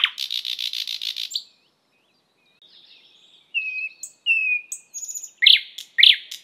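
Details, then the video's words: Thrush nightingale (Luscinia luscinia) song: a rapid rattling burst of repeated notes, a pause, then loud whistled phrases and sharp clicking chips. "Thrush Nightingale Sound"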